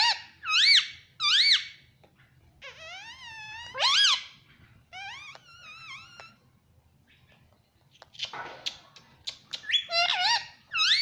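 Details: Indian ringneck parakeet kept at home calls loudly in shrill, arched squawks, some drawn into wavering warbled strings, separated by short silences and a scratchy rustling burst.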